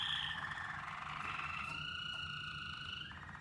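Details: Waterslager canaries combined during song training: long, steady whistled tones held around the middle register, a lower line sliding gently upward and then holding, with a faint buzzy undertone.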